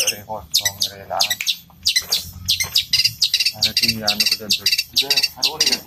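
Long-tailed shrike pouring out fast, high chirps and harsh squawky chatters in near-continuous bursts, copying the squabbling of fighting sparrows.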